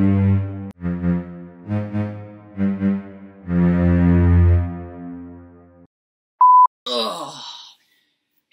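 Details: Low, bowed-sounding groaning notes in four short swells and one long one, then a brief electronic beep and a short swishing sweep; no animal voice.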